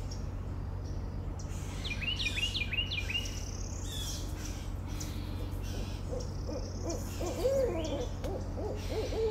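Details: Barred owl giving a run of low, wavering hoots that rise and fall in the final few seconds, after a stretch of repeated high, sharp chirps from another bird over a steady low hum.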